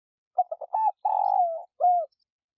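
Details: Spotted dove (cu đất) lure coo, meant to stir caged doves into calling: three short clipped notes, a longer level coo, a long buzzy drawn-out coo sliding lower, then one smooth falling closing note, low and mellow.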